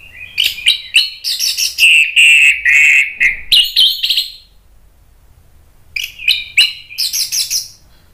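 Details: Agitated Orange-headed thrush song, used to provoke other birds into singing: dense, rapid strings of mixed whistles and buzzy notes for four seconds, a quiet pause, then another fast, scratchy-whistled outburst.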